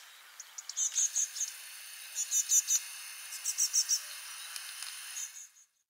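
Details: A young great tit, one of four freshly fledged young playing and calling to each other continually, gives quick bursts of three or four thin, very high notes every second or so, Parc Izadia, Anglet, spring 2024 morning; background hiss.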